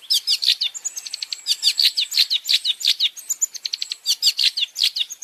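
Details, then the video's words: Rapid varied long-tailed shrike song, meant as tutor material for cage birds: dense runs of quick downslurred whistles and chirps, mixed with short trilled notes, delivered almost nonstop at about three notes per second. "Masteran Burung Cendet Terbaik 2026 | Full Isian Juara Nonstop"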